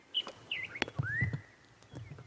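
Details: At sunrise on 2 June 2016 in the Sabi Sand, an oriole calls amid a mixed bird party with a bulbul and a tapping woodpecker: liquid, slurred whistles, one rising into a long clear note, over a low rumble and clicks.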